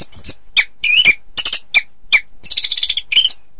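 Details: Orange-headed thrush singing for contest practice, rapid phrases of sharp chirps and slurred whistles, ending in a fast rattling trill and a final warbled note.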